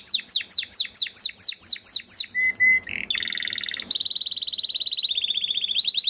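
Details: {'caption': 'Breeding male Belgian canary repeats sharply falling notes about twice a second, adds a few level whistles, then runs into a long fine trill.'}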